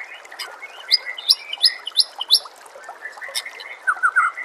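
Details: White-rumped shama singing over a steady background of nature sounds and flowing water. A series of about five sharp, evenly spaced high notes is followed by softer warbles and a short rapid trill.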